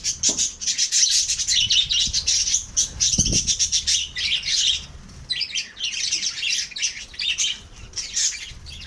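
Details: Kept lovebirds chatter in dense bursts of high, squeaky chirps and twitters that surge and fade over several seconds, with a soft low thump near the middle.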